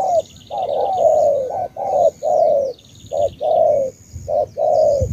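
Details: Spotted dove of the Ca Mau type, Vietnam, cooing loudly in drawn-out low phrases broken by short notes, with a thin high trill and a low thud near the end.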